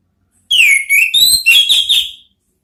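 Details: An orange-headed thrush whistles a flowing phrase, meant as therapy to provoke the ngeplong sound: a clear note sliding downward, followed by several rising and falling whistled notes run together for nearly two seconds.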